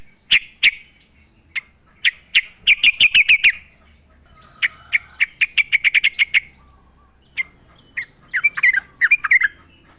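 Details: Wild sooty-headed bulbul singing in nature, a lure to get caged birds to answer: sharp bright chirps, then rapid trilled runs of short notes, then a quieter chattering burst near the end, separated by brief pauses.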